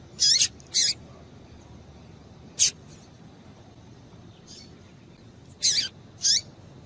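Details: Female double-collared seedeater calling to excite males: short high squeaky chips, single or in close pairs, spaced irregularly over a faint steady background hiss.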